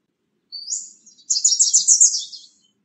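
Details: Bewick's wren bringing nesting material to a nest box: one thin rising note, then a rapid, buzzy, very high trill of about a dozen pulses, fading at the end.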